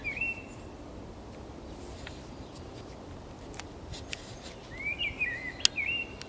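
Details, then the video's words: Common blackbird at Zamudio along the Camino de Santiago, 28 March 2019, giving a short whistle and then a longer wavering fluty phrase near the end, with scattered sharp clicks and a faint background hiss. "ZOZO ARRUNT BATEN KANTA _2019.03.28_ Turdus merula (Canto de un mirlo común)"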